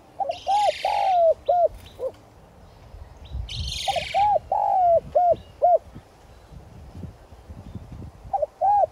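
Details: Spotted dove decoy bird giving its 'son' voice call to excite wild doves; three low cooing phrases of a wavering note, a drawn-out coo and short coos, with two brief rustling noise bursts between them.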